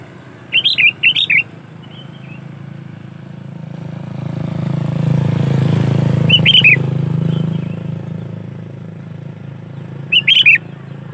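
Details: Sooty-headed bulbul singing for use as a lure: short bubbly three-note phrases near the start, middle and end, with a passing engine rumbling loudly between them.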